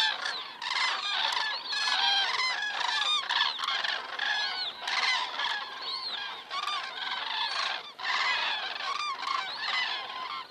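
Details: Flock of common cranes passing overhead in Estonia on the evening of 19 September 2017, around 19:10, heard through a crane cam: loud, rolling trumpeted calls from many birds, overlapping in quick bursts with short lulls between.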